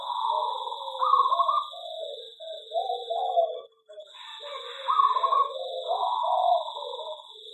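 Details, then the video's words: Zebra dove in an aviary singing a sequence of quick, stuttering coos, bright trilled notes alternating with lower gurgling ones, a short gap midway, over a continuous high electronic whine. "perkutut di aviary lebih cepat gacor dan bunyi"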